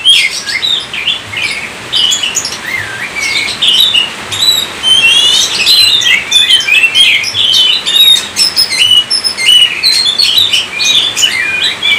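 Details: Oriental magpie-robin in sustained gacor song, used as a lure for other kacer: rich whistles, looping slurs and sharp chips tumble out continuously for the whole stretch.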